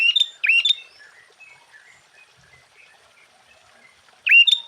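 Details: Sooty-headed bulbul in full, lively song meant to stir up other bulbuls: a quick run of three bright, ringing whistles at the start, a soft warbled phrase in the gap, then another loud clear note near the end.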